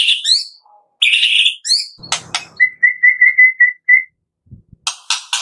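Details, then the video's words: Morning song of the white-rumped shama, used to get shamas singing: high sweeping whistles and squeaks, then a level series of short clear whistled notes, ending with harsh, scratchy bursts. "Pancingan Murai Pagi WHITE-RUMPET SHAMA"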